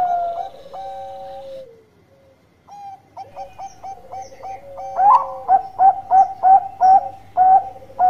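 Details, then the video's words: Zebra dove singing actively: after a few long, level whistled tones, a run of short, bright coo notes repeated rapidly at an even pitch, with a steady sustained tone underneath. "Raja Suara Mas Perkutut Gacor"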